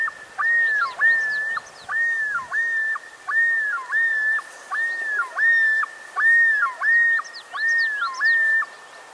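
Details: A male Common Loon yodels, a call given only by males and used in territories, each male's unique: loud, wavering two-part phrases that swing up and down, repeated about every second in a steady run. No other sounds.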